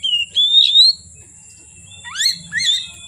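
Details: Oriental magpie-robin singing from afternoon into dark: a clear, slightly rising whistle followed by two swooping, upward-sliding whistled phrases, with a steady high-pitched hum running underneath.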